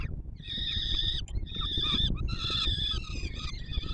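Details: Peregrine falcon chicks begging as the adult male feeds them at the Palace of Culture and Science, Warsaw, Poland, 7 July 2022: harsh, harmonic screeching calls in long, near-continuous bursts over low rumbling background noise.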